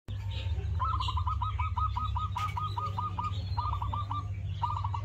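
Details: In an aviary on Eid day 1445, a zebra dove gives a quick run of soft, staccato cooing notes, then two shorter bursts, over a steady low hum.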